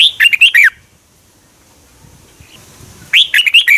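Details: Red-whiskered bulbul kept caged in Thailand, song meant to stimulate other birds: two lively warbled phrases of rapid looping notes at start and end, a quiet gap of about two and a half seconds between.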